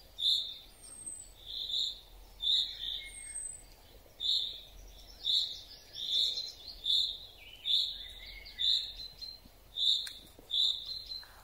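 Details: Common chaffinch in a forest giving unusual calls: short, sharp, high notes repeated steadily, about one every 0.8 seconds, roughly fourteen in all, with faint thin notes from other birds behind them.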